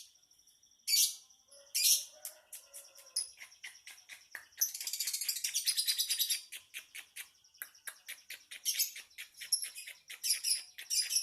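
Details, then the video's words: Lovebird singing: a few loud harsh squawks, then a long rattling series of rapid squeaky chirps and a buzzing stretch, continuing in lively bursts. "Kicau Lovebird | Ocehan burung Lovebird"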